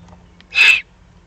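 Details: Eurasian eagle-owl juvenile in an excited state, Eifel, Germany, 21 June 2020, producing one brief, airy, sneeze-like rasp with a faint steady low hum behind it.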